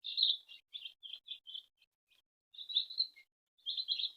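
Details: Baby chickens peep while their mother hen feeds them at home: clear, high, slightly trilled chirps in groups, with a quiet gap before a final burst.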